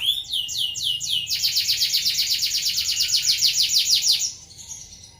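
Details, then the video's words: Canary in rolling song used as a tutor recording for training other birds: a rapid, bright trill of repeated rising notes that speeds into a dense, buzzy roll lasting about three seconds before fading out. "Suara Burung Kenari Ngeroll Cocok untuk Masteran"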